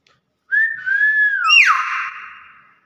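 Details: Nias hill myna giving a clear whistled call: a short rising note, then a long slurred whistle that falls into a buzzy, harsh descending sweep. A person talks nearby.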